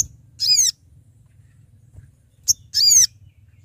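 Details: Sooty-headed bulbul calling companions as a trapping lure: two arched harmonic call notes about two seconds apart, a short high click before the second, over a faint low hum.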